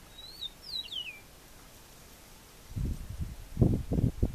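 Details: Eastern meadowlark in Venezuela delivering one song of sweet, sliding whistles that drop in pitch toward the end, followed by loud low thumping and rustling.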